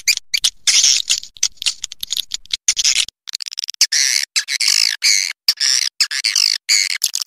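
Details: Edible-nest swiftlet lure call for drawing birds in to roost overnight: dense bursts of harsh, buzzy chattering twitters with quick clicks in between, later turning into repeated rasping trills with brief gaps.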